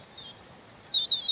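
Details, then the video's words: European robin singing gently: a thin, very high drawn-out note, then bright warbled phrases at the end, over soft steady hiss. "Ласковое пение Зарянки(малиновки)"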